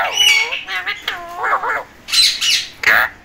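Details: Talking parrot producing a string of harsh, harmonic, speech-like squawks and nasal syllables in short separate bursts, each lasting under half a second, in a quiet setting.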